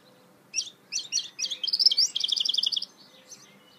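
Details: Goldfinch mule song, loud and close: a few separate high chirps quickly speed into a fast, rattling, twittered trill that holds steady for about a second, then stops. Quiet background.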